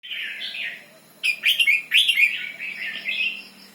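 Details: Red-whiskered bulbul giving the doubled song style: a soft warbled phrase, then two loud bubbling, slurred whistled bursts with sharp clicks, fading into quieter chattering notes.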